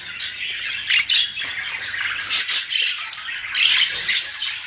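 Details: Budgerigars giving mating calls meant to stimulate breeding: dense, high squeaky chattering and warbling from several birds, rising into louder bursts roughly every second.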